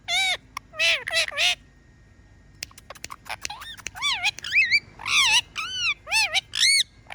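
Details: A pet parrot, tagged as an Indian Ringneck, gives bright, high harmonic whistles and chirps in quick bursts, some arched and swooping, with short pauses between phrases.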